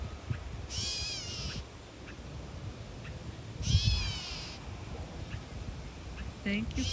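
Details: Catbird out on a boardwalk, protecting its nest and putting on a display with its tail fanned. It gives two harsh, cat-like mewing calls about three seconds apart, each a buzzy, slurred burst. A low background rumble runs throughout.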